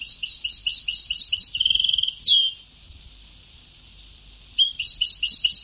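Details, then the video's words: European goldfinch on an old song tape in the Sebtawi (Ceuta) style: fast rattling runs of high, twittering, metallic notes, a bright upward sweep, a pause of near silence, then the twittering resumes. "Canto del jilguero antiguo شريط تغريد سبتاوي قدييييييم"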